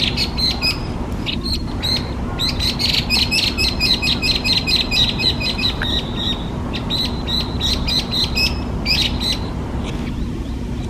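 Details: Hwamei, a species listed in Japan as a specified invasive alien bird, gives a fast stream of bright, sharp chirps and short whistled notes, densely repeated for most of the eleven seconds over a steady low background hum.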